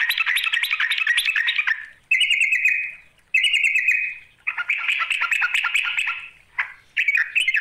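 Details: A rival-luring call of the yellow-vented bulbul: a long chattering phrase, then two buzzy, steady bursts and another busy bubbling run, all loud and close.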